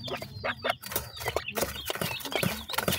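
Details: Pheasants, four males with one female, while feeding: a dense run of short, low clucking notes and scratchy sounds, with faint thin chirps above them throughout.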